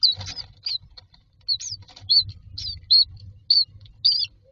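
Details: Myna chicks in a nest box, standing in a row waiting for food; high, short squeaky chirps come in uneven bursts, some with a slurred rising-falling shape, with a faint low rumble underneath.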